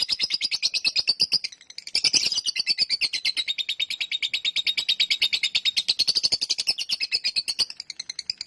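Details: Lovebird giving a long ngekek chatter: a fast, steady run of sharp, high chattering notes, several per second, pausing briefly near the start before rolling on without a break to the end.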